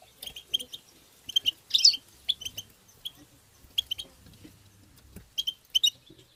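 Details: European goldfinch in tabtaba song meant to stimulate goldfinches: scattered bursts of high, thin twittering and a few sharp buzzy chips, spaced irregularly over a faint background hiss.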